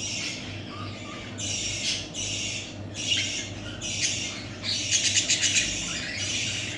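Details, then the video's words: Budgerigar chicks kept as pets, giving harsh, raspy squawking bursts in short repeated blocks, each about half a second long, with brief gaps, growing louder and choppier near the end; a low steady hum runs underneath. "Muhabbet Kuşları Bebeklerimiz"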